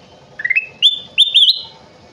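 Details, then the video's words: Energetic song of a kutilang emas bulbul: three quick bursts of clear whistled notes, each slurring upward in small steps and growing higher and fuller toward the end. Low background rustle. "Burung kutilang emas gacor"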